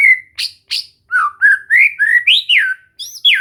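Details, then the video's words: White-rumped shama in a relaxed training session meant to get it singing: a rapid run of clear, loud whistled notes, some slurring up and down, others short sharp chips, about ten phrases in quick, uneven succession. "Latihan santai untuk murai batu AGAR MAU BUNYI dan GACOR"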